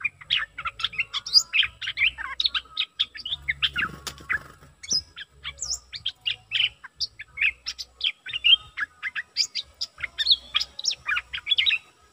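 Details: Bulbul used as a decoy bird, posted 6 July 2021: a dense run of quick chirping, twittering notes in short bursts with few pauses, possibly several birds, and faint low rumbling underneath.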